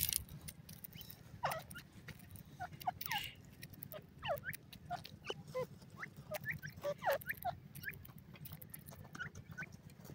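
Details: Francolin (teetar) chicks under care cheep steadily while being fed: short bent whistled notes, often in pairs, repeated through the clip over pecking clicks and a low steady hum.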